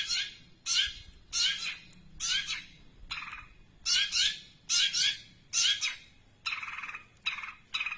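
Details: Long-tailed shrike mimicking tree sparrow chirps at length: loud, harsh, paired or single chirps spaced about half a second apart, shifting to lower, buzzier notes toward the end.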